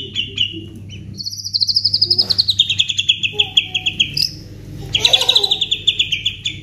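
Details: White-rumped shama song, gacor full isian style, used to stimulate other shamas to sing: high whistled notes and trills sliding downward, then a burst of rapid chips, over a steady low hum.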